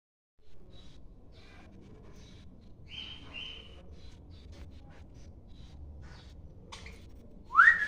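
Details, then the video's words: A parrot gives a brief steady whistle, then ends with a loud, sharply rising whistle over a faint background hum. "parrot making wistle sound"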